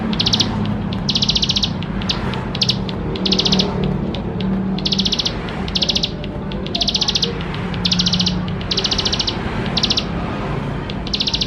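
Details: Energetic bar-winged prinia song meant to coax young prinias into singing: a steady run of high, stuttering buzzy trills, each under half a second, with a faint low hum underneath.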